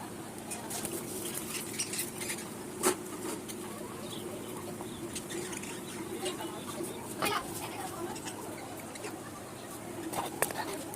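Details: Budgerigars in a small home colony that has raised eight chicks chatter together in a busy stream of squeaky chirps and clicks over a steady low hum.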